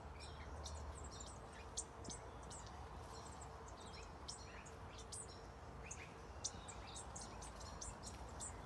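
Scarlet honeyeaters give thin, very high tinkling chirps in quick scattered bursts over a steady low background rumble.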